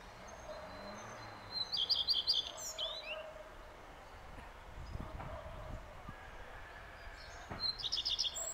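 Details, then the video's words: Common redstart song: two short phrases, each a run of about five to six high, clipped, repeated notes near the top of the range, separated by a quiet gap, with faint background rustle. "обыкновенная горихвостка"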